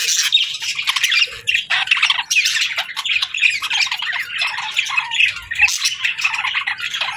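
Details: Budgerigars chatter in a steady stream of rapid, scratchy warbles and sharp chirps, several birds overlapping without pause.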